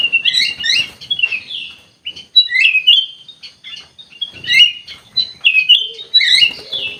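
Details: Energetic song of a kutilang emas, the ruby-throated bulbul: bursts of sharp chirps and looping whistled notes in quick phrases separated by short gaps, with brief low thumps in the background.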